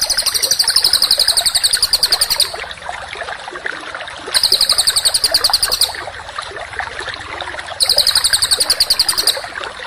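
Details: Contest songbird training audio with loud, very high, buzzy rapid trills lasting two to three seconds, alternating with quieter stretches of lower rapid chirping throughout.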